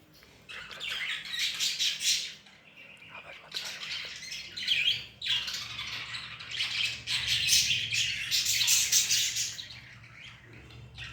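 Budgerigar chicks beg with harsh, raspy squawks in rapid bursts while being hand fed.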